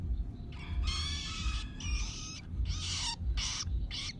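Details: Young long-tailed shrike chick being trained to feed itself, giving harsh, buzzy begging calls in bursts of about half a second to a second, over a steady low hum of background noise.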